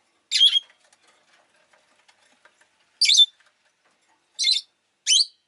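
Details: Pet rosy-faced lovebird giving four short, harsh, high-pitched chirps spaced unevenly over five seconds, with quiet clicking between them.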